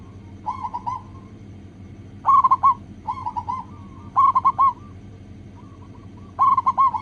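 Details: Zebra dove, local type, heard as a lure to stir other doves into song: repeated trilled coo phrases, loud and soft ones alternating roughly every second, with faint separate notes and a low background hum.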